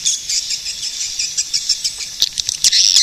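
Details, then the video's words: Swiftlet calling with high, thin twitters and chirps running continuously, punctuated by a few short clicking ticks toward the end. "suara burung walet"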